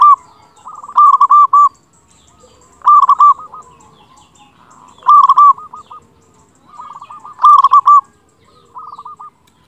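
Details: Local zebra dove singing actively with a big voice, used as a tutor to prompt quiet doves to sing: loud rolling cooing phrases repeated every two seconds, with softer stuttered coos between them.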